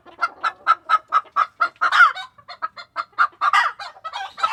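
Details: Chickens in a Tokyo coop during February 2022 keep up a rhythmic run of clipped clucks, roughly four a second, interrupted by brief louder cackles.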